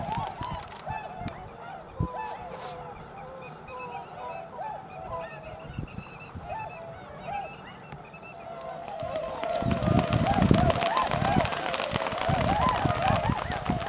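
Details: Flock of tundra swans at Shiotsu-hama on Lake Biwa, Japan, 3 March 2012, assembling before migrating north: steady overlapping honks from many birds, growing louder and denser after about nine seconds, with some rumbling background noise.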